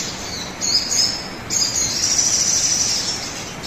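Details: Sogon bird song used as a lure to prompt caged birds to sing; shrill, high squealing notes that begin broken and become a long continuous run in the second half, with constant hiss behind.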